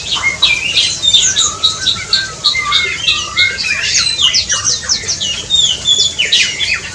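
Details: Black-and-crimson Oriole calling in an aviary: bursts of high squeaky chirps and sharp descending notes, with short whistled slurs mixed in, coming in clusters about every half second over faint room noise.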